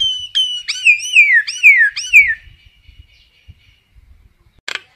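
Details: Common myna calling its flock: a run of four clear, loud whistled notes, each arching up then sliding down, given in quick succession, followed by silence and a short harsh rasp at the end.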